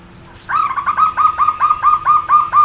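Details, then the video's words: Zebra dove giving a loud, powerful call: a rapid, rolling run of about ten short, ringing notes, evenly spaced and steady in pitch, over a quiet background with a faint steady hum. "Lantang Dan Bertenaga"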